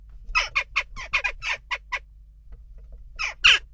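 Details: Western jackdaw unrest at a nest box: a quick series of about eight short harsh 'chak' calls, evenly spaced, then a gap and two louder raspy calls, with a low hum behind.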